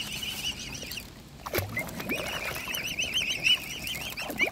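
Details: Mute swan cygnets fed by hand keep peeping in rapid high, looping whistles, briefly pausing before resuming, with a few dull knocks and rustles.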